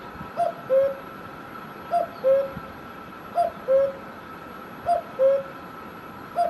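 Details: In Himachal Pradesh, India, a cuckoo repeats its clear two-note call, a brief high note followed by a longer lower one, about four times at an even pace, with a faint steady hum behind.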